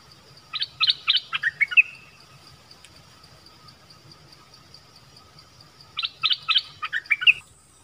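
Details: Wild bird among a visiting family delivers two separate phrases about five seconds apart, each a fast string of sharp chirps ending in a brief rising whistle. A steady thin tone runs in the background.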